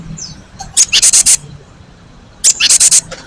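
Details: Cinereous tit, a lure recording used to make other birds answer, with a long clear rolling voice: two bursts of about five rapid, harsh, high notes, under two seconds apart, over a quiet background.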